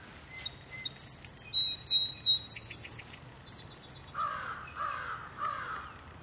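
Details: Song sparrow singing near three Border Terriers. The song opens with clear high whistled notes and quick tones, then a lower, harsher call repeats three times in the second half.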